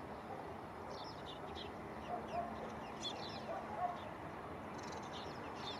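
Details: Spanish sparrow selecting a nest site for its next clutch, Gáldar, Gran Canaria, February 2023. Quick high chirps appear in short bursts near the start, middle and end, over a steady hiss of background noise.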